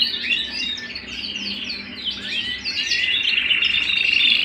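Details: Canary singing at home: descending whistled slurs and chirps build into a louder passage of clear, sustained whistles and rapid trills.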